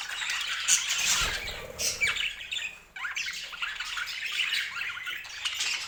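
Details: Brightly coloured pet budgerigars in a noisy group, giving busy high warbling chirps and squawks that overlap. The chatter drops almost to silence near the middle, then resumes at full strength. A brief low thump is heard early on.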